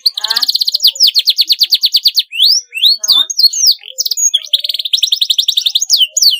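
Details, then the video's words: Canary song meant to train young canaries learning to sing: loud rapid rolling trills alternate with quick upward and downward whistled sweeps, then a long rattling trill near the end, in a clean, quiet recording. "paud kenari belajar bunyi cocok sekali di pancing suara ini"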